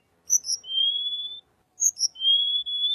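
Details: Little pied flycatcher, used to lure white-rumped shama: two short high chips, each followed by a long, thin, steady whistle that rises slightly, given twice.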